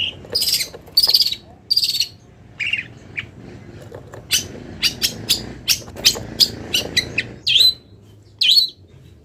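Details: Long-tailed shrike, still in molt, singing a full song packed with imitated wild-bird phrases: sharp high chips and short whistled notes, some in paired bursts, then a rapid run of clipped notes repeated about twice a second.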